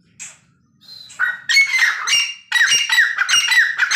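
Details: Black francolin pair, male and female, calling: after a few faint opening notes, loud harsh grating squawks with a nasal ringing tone burst out in rapid, uneven runs.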